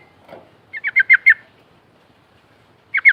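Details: Ngerol lure song of an untrained sooty-headed bulbul: a run of five quick, sharp chirps, a long silence, then two more notes starting again.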